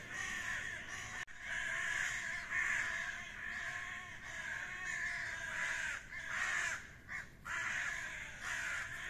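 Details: Ravens squabbling in a fight give a near-continuous stream of raspy, grating croaks, overlapping and uneven, with a sharp click early on and brief pauses toward the end.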